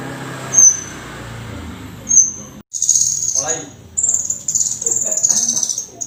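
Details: Bar-winged prinia singing in lively, energetic style: thin, very high whistled notes, first two brief isolated ones, then sustained shrill strophes with some lower buzzy undertones.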